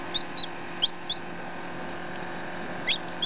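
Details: Close-up of a ten-minute-old hatchling chick, with a day-old chick also present: a few thin, high peeps, some short and flat, some upslurred, scattered across a brief stretch with a low hum underneath.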